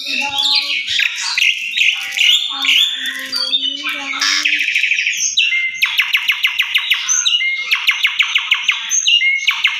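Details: Asian pied starling singing as an indoor lure to trigger full song: varied chattering and squeaky whistles, then rapid bursts of sharp repeated ticking notes with short whistles between.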